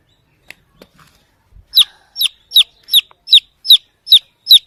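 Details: A chick seeking its mother hen begins with faint clicks and soft sounds, then bursts into eight loud, shrill, falling peeps at a regular quick rhythm.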